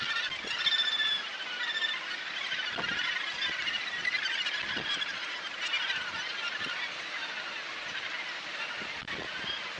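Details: Australasian gannets calling at the Muriwai breeding colony near Auckland, New Zealand, in January 2022, heard from a lookout above the beach: a dense, continuous chorus of harsh, overlapping calls with steady surf-like background noise.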